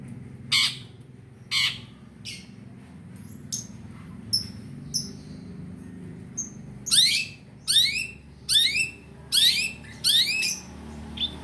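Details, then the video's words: Long-tailed shrike playback meant to get a shrike that has stopped singing to sing again. Rasping notes open the sequence, then a fast run of bright notes sweeping steeply downward, roughly one each second. "Suara PENTET buat mancing burung penten macet"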